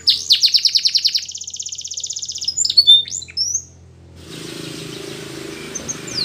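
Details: A Belgian canary sings for training young canaries: sharp rising notes, a long rapid trill, then a few quick whistled chirps before the song stops and a broad hiss takes over.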